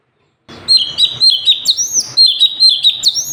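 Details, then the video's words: Sooty-headed bulbul singing, a recording for training other birds to sing: lively, bubbly phrases of clear whistled notes, slurred up and down and repeated in quick succession after a brief silent start. "CUCAK CUNGKOK SUPER GACOR"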